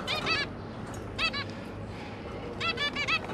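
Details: Zebra finch family, two parents and three newly hatched juveniles, recorded 5 September 2022 while the parents were busy feeding the young: three short bursts of nasal, honking calls with stacked harmonics, spaced over about three seconds, above a low background hum.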